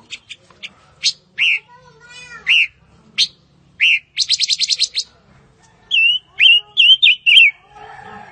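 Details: Fire-tailed myzornis with sharp rising chirps, a quick stuttering trill, then four or five clear whistled notes that bend and drop, against a quiet background.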